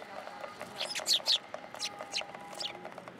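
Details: Several Eurasian tree sparrows visiting a pillar top for food at a Tenmangu shrine on 27 December 2022, giving a string of brief, high chirps, two louder ones close together, against faint background noise.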